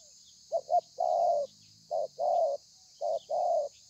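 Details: Spotted dove, a wild-caught bird cooing in the thổ pha style, recorded 30/11/2020: low, hollow coos, a quick double note followed by a longer drawn note, the phrase repeated three times with short pauses; faint high hiss in the background.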